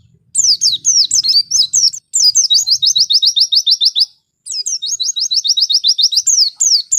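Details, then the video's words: Oriental white-eye isian song: bright, high twittering phrases, each opening with slurred whistles and running into a fast, regular train of repeated chips, two long runs separated by a short silence. "isian burung pleci gacor"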